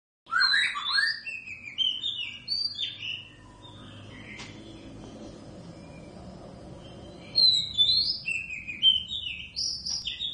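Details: Wild-caught pair of Oriental magpie-robins kept at home, singing all day: loud, varied whistled phrases with rising and falling slurs, a pause of several seconds filled with low background rumble, then more bright whistles.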